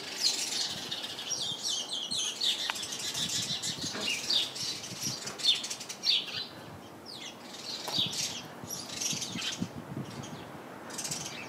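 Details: House sparrows chirping in a bush packed with the birds, giving bursts of short, high cheeps and twitters, denser at the start and scattered later, with faint rustling and background hiss.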